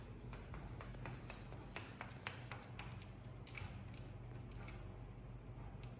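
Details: Sharp taps and clicks repeat irregularly in a small indoor room over a low steady hum.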